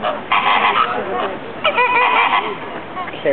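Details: Very social pink flamingos in a flock at the Bronx Zoo give nasal, goose-like honks in overlapping bursts, with a steady murmur of many birds beneath.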